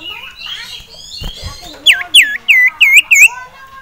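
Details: Caged male sirtu excited by a nearby rival and female: after soft mixed chirping comes a run of five loud, evenly spaced swooping whistles, each dipping then rising.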